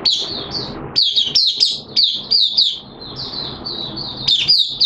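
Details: Caged white-eye singing on 13 September 2022, second day of its monthly deworming treatment: high, quick chirping phrases in bursts separated by short pauses, with faint low background rumble.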